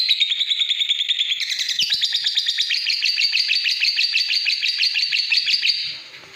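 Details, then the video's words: Lovebird song beginning with evenly spaced sharp chirps, then breaking into a long, fast scratchy chatter of high rasping notes that stops abruptly near the end. "Love bird istimiwir"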